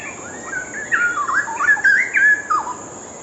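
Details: Straw-headed bulbul pouring out a loud, bubbling whistled song, its phrases twisting up and down in quick, connected loops for about two seconds, with a steady high hiss behind.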